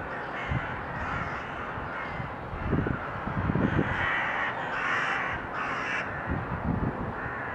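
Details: Crows calling in February: harsh, hoarse caws repeated roughly every second, several overlapping, over a steady, loud broadband background rush.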